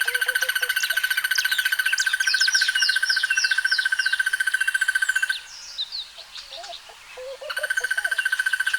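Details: Crested barbet giving a long, rapid, even trill on one steady pitch for about five seconds. It stops briefly, then resumes. Higher chirps and twitters from other birds run throughout.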